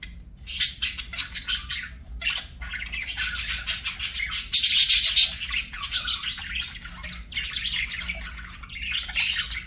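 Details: Budgerigars kept as pets singing and chirping, a dense, rapid stream of buzzy chatter and high twittering notes that runs almost without a break and peaks loudly midway.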